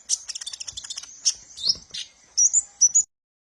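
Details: Sunbird called kolibri ninja, played as a training lure for kept birds; a rapid run of high ticking notes leads into thin, sliding whistled phrases, ending in a few bright upward twitters.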